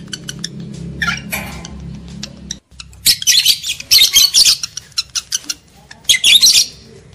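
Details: Shrill lovebird screeches used to arouse breeding in males and females: clicks and a cry early on, a short gap, then a dense sequence of loud grating squawks from 3 to 6.6 seconds.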